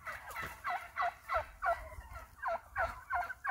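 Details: Wild turkeys that roost on a property, calling as they leave the roost in the morning: a steady series of hoarse, raspy yelping notes, roughly three per second, with slight overlap suggesting several birds.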